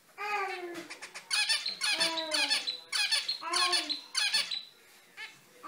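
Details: Lively zebra finches squeak loudly. Nasal, tonal beeps with a slight downward bend alternate with harsh buzzy bursts, about five bursts in five seconds, before a short quiet pause.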